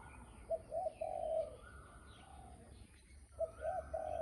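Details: Spotted dove cooing: low, soft three-part coo phrases, two short notes then a longer drawn-out one, heard twice, over quiet rural background.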